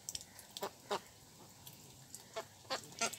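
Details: Ducks at a pond, with Mandarin ducks, mallards and Pekin ducks present; short broad quacks come in scattered bursts of one or two, separated by quiet gaps, over a faint watery background.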